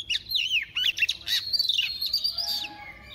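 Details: Decoy female white-rumped shama singing in a double voice to excite males: dense, fast stream of sweet whistled slurs and buzzy chatter, ending in a long, smooth whistle.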